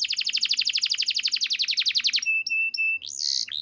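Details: Canary singing: a rapid rolling trill of quick downward-slurred high notes for about two seconds, then three flat, steady whistled notes and a final rising swoop.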